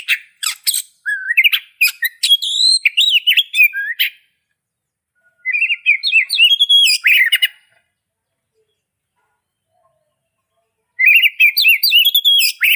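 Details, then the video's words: Singing Oriental magpie-robin, three bursts of varied melodious whistles, warbles and scratchy notes, each several seconds long and separated by silent gaps. "Oriental Magpie Robin Song Singing Sound And Call"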